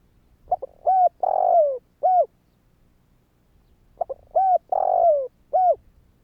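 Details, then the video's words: Spotted dove calling to prompt other doves to call: two full coo phrases, each short soft notes then a long, slightly descending, buzzy-edged coo and a final clipped coo, separated by a pause of about two seconds. "Chim cu gáy Thúc kích bổi , Tiếng cu gáy Thúc hay ,tiếng chim cu gáy kích bổi"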